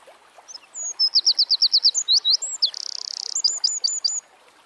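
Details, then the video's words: High-pitched Eurasian wren song in natural surroundings, starting with faint whistles, building into a rapid repeated note series, a sustained churring trill, and ending in crisp staccato chips. "Birds Singing - Eurasian Wren"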